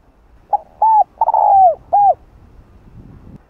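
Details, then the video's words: Spotted dove giving a mellow cooing phrase at midday, from a calling sequence used to stimulate other doves: a short note, a rounded coo, a long sliding note that falls at the end, and a closing coo, over faint background noise. "Cu Gáy Buổi Trưa Giọng Hạp Bổi ĐỦ BÀI GỌI + THÚC + GÙ . Kích Bổi Nhanh Nổi"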